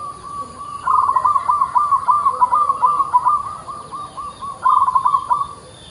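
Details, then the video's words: Actively singing local zebra dove produces a long, continuous stream of rapid, rhythmic staccato coos. The notes cluster in bursts, slow briefly, then resume in a fast bubbly phrase. Only faint hiss sounds behind it. "PERKUTUT LOKAL GACOR LOKAL"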